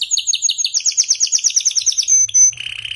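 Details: Canary song played to encourage weak singers: a fast, even series of bright chirped notes, followed by a short high whistle and a buzzy trill.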